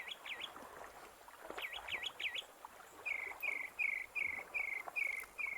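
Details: A single hopping mockingbird on the Gulf of California seashore one morning, sounding like a group of birds: three bright swooping whistles, then a fast series of eight clipped high notes, each phrase repeated in turn, over a faint hiss.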